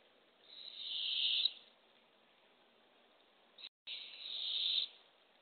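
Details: At an April 2024 Barred owl nest box, early morning, with a baby opossum being delivered to two owlets: two rough, steady hissing screeches about a second long, separated by a pause of over two seconds.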